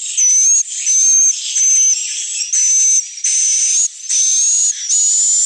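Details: Swiftlet call played as an evening roosting lure: long, harsh, high buzzing bursts, each carrying a bright whistled tone, separated by short quieter gaps about every second, with faint sliding tones underneath.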